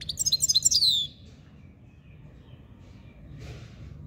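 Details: Himalayan goldfinch, named as subulata, delivering a brief high, tinkling twittered trill of about a second, followed by near silence and a faint rustle.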